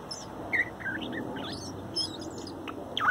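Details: Young male bird, strongest chick of a 2019 fourth nesting, softly singing a morning song in its last recording before leaving to find its own territory; thin whistled notes and short chirps scattered over steady background hiss.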